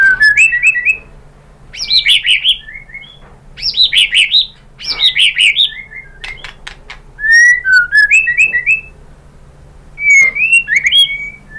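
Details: Energetic White-rumped shama song meant to make other birds answer: loud phrases mixing rich buzzy rolled notes with pure stepped whistles, given in bursts about every two seconds with short pauses.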